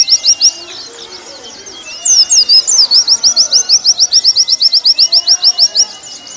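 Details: Warbling white-eye song used as a training recording for caged birds: a few scattered high chirps, then a fast run of about twenty-five sharp, evenly repeated high notes lasting some four seconds, with faint lower whistles behind.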